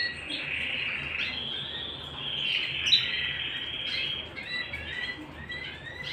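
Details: Canary at home giving a steady rolling trill that swells in the middle, followed by brief scattered whistled notes and chirps.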